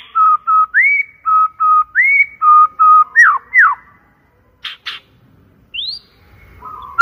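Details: White-rumped shama song played as a loud, clear lure: steady whistled notes alternating with upslurred whistles, a pair of falling slurs, then short high bursts and a rising whistle after a pause.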